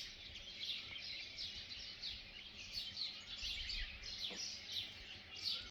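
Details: Sunrise birdsong in Kodaikanal, India, heard at a resort on a calm morning: many small birds twittering together in high, quick chirps and trills, with a faint low rumble underneath.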